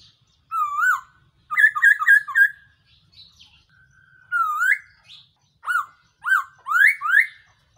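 Black-throated laughingthrush giving loud, clear whistles: rising slurred notes and quick stuttered bursts of three or four, about a dozen phrases in eight seconds, with nothing else heard.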